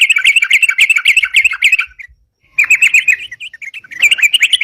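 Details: Sooty-headed bulbul singing in the continuous 'ropalan' manner for luring birds: dense runs of quick, bright chirps split by a half-second silence, resuming in rapid bursts.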